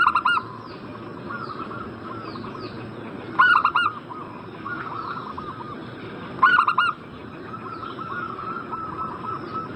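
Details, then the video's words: Zebra dove (perkutut) call used as a lure to prompt a bird in breeding condition to answer: three short, loud bursts of staccato cooing notes about three seconds apart, with softer cooing phrases from other doves between them. "Pancingan burung perkutut Agar Cepat Nyaut gacor Juaranya pancing birahi langsung nyaut emosi"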